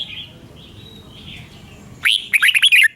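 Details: Red-whiskered bulbul, a recording for training caged birds or trapping: faint distant whistles, then a sudden close phrase of five or six quick slurred chirping notes.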